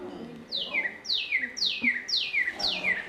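Northern Cardinal: a run of bright, steeply down-slurred whistles, about two each second, like laser-gun 'pew, pew, pew'. A faint low room murmur underneath.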